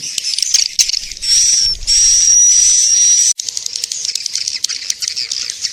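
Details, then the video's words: Swiftlet lure call meant to draw swiftlets: busy high chirping and clicking twitter throughout, with a sustained thin whistled tone in the middle stretch that breaks off abruptly before the chirps resume. "SUARA TARIK MANSYAH WALET"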